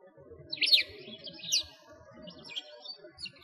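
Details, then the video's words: Sparrows on a winter walk past a frozen lake in Moscow's Bratislavsky Park, Russia: two or three loud, sharp chirps early on, then softer distant twitters over a low background hum. "Sparrows singing"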